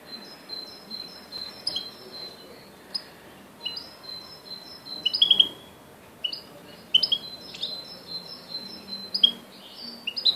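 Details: Goldfinch crossed with canary, giving short, high twittering phrases of sharp notes and brief trills every second or so, separated by pauses, over faint background hiss.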